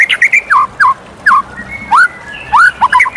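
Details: White-rumped shama in morning song, spaced short whistled notes sliding down then swooping up, delivered in bursts roughly every half second, with faint high chips and low background hiss.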